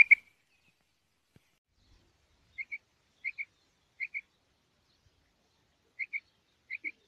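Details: Calling female rain quail giving sharp, high double notes in separate pairs, spaced irregularly about a second apart, with a short loud click at the start and a quiet background.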